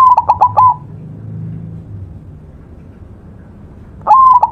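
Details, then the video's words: White zebra dove singing in a tutor recording: a short mellow phrase of level cooing notes broken by quick stuttering pulses opens the clip, then after about three seconds of quiet the phrase starts again. "perkutut putih masteran gacor"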